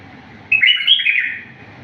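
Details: Wild bulbul song phrase recorded as a teaching model for young bulbuls: a clear, warbling burst of fluid whistled notes around one second long, rising and falling, over a faint low background hum.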